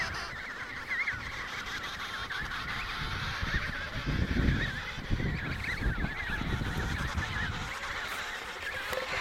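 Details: Breeding colony of emperor penguins, Riiser Larsen, Antarctica, 72°06 S 15°06 W, in November 2010: continuous wavering warbled calls from many birds over heavy gusting wind, loudest midway.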